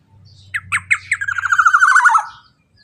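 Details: Black-naped oriole calling loudly as a lure to get other birds singing; three or four sharp, separate squawky notes lead into a fast, buzzy, descending rattle of nasal notes lasting about a second, over a soft low hum.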